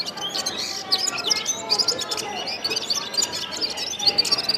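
A gulsar sings a fast, high twittering of chirps and short whistled notes, running without pause. Other small birds seem to chatter at the same time.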